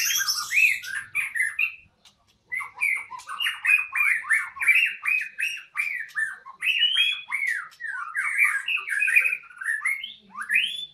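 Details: At a breeding site, a white-rumped shama sings a rapid, varied song of chattering, slurred notes and harsh buzzy elements in pulsing phrases after an opening burst and short gap.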